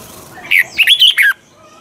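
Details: Caged red-whiskered bulbul used as a training bird for other bulbuls, singing a wild-type double-note song: one short burst of rapid whistled notes sweeping between mid and high pitch, with a faint hum behind.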